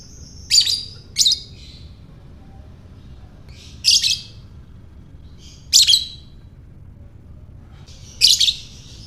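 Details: Ngekek call of a lovebird, played to provoke other lovebirds into calling: sharp, high, rasping bursts, two close together then three more spaced roughly two seconds apart, with a quiet background.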